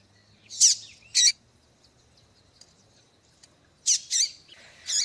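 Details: Female double-collared seedeater giving calls meant to rouse a male to sing: two loud, high, clipped chips, a pause of over two seconds, then three more harsh, high notes in quick succession.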